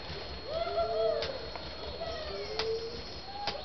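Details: A male satyr tragopan during frontal courtship display gives low, drawn-out moaning notes, each held about a second, with a few sharp clicks between them.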